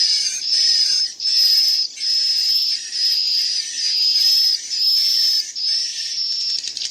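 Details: Swiftlet chicks give a dense stream of high, thin "ci-ci" chirps in rapid bursts about once a second, some loud and some soft, mixed with adult swiftlet calls, with a faint hiss beneath.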